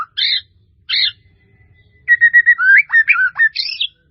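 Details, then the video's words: Melodious white-rumped shama song with a full varied repertoire. Two short bright chirps are followed by a quiet gap, then a quick run of sweet whistled notes, some level and some swooping, ending in a higher chirp. "SUARA MURAI BATU MERDU"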